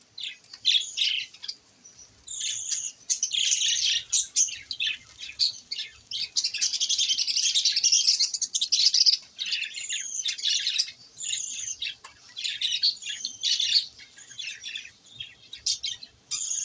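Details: Budgerigars chirp and warble in a busy, continuous chatter of high, scratchy notes while playing in water in the summer heat in the morning.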